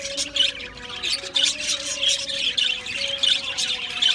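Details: Budgies in an Australian budgie aviary colony chattering steadily, short raspy chirps repeating in quick pulses about every third of a second, many birds overlapping, a steady low tone beneath.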